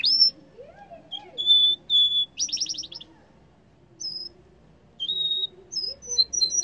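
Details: {'caption': 'A yellow canary gives high pure whistles and a quick rolling trill, then after a pause short rising notes and paired chirps.'}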